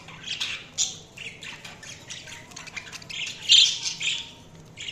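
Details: Budgerigars chirping: dense overlapping chatter of warbles, squawks and sharp chirps, with a few louder bursts near the start and around three and a half seconds.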